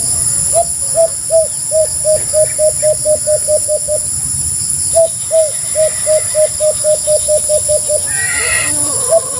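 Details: Two long trains of quick, low hooting notes from a white-eared brown dove, each about a dozen coos in steady rhythm, followed near the end by a short higher, rasping call from another source.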